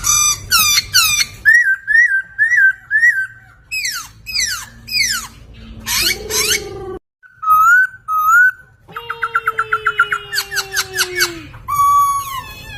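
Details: Laughingthrush master song for training songbirds: a long mixed sequence of repeated whistled phrases, sharp downslurred notes, a brief pause, then a fast pulsing trill over a low held tone, ending in a clear whistle.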